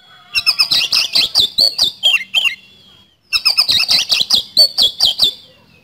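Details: Kacer (oriental magpie-robin) singing hard in the rapid 'speed roll' style: two quick runs of loud, clipped, rolling notes, each about two seconds long, with a short quiet pause between them.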